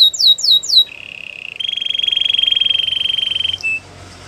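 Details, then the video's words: Canary song for training: a few quick descending slurred whistles, then a low steady buzzy trill and a long, higher, rapidly pulsing rattle lasting about two seconds, ending with a short note. "Melodies canary bird song"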